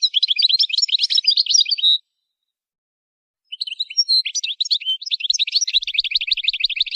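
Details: Goldfinch song for song training: a quick, high, jumbled twitter, a brief silence, then scattered chirps building into a long continuous run of tinkling, rapid notes.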